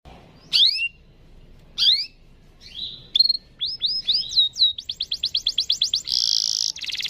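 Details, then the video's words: Canary song, a long rolling 'gacor' chirping used as a lure to get other canaries singing: a few spaced, sweeping upward chirps, then rapid slurred notes building into a fast pulsed trill that ends in a dense buzzy burst. "Pancingan cuit cuit kenari Gacor panjang ini ampuh buat memancing kenari lain pasti ikut bunyi"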